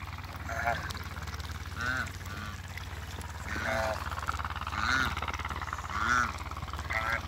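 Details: A mature pair of African geese on a farm, being introduced to each other, gives loud nasal, harmonic honks. About six honks come roughly every one to one and a half seconds over a steady low hum.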